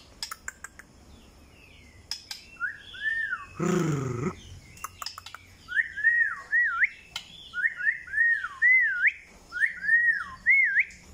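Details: White-rumped shama singing: after a few clicks, a series of clear whistled phrases, each a rising-and-falling slur with a quick upturn at the end, repeated about every second, with one brief low harsh noise near the start.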